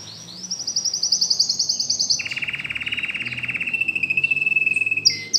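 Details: Domestic canary new to the home sings a bright high trill, switches to a lower, very fast buzzing roll, and ends with a short high note.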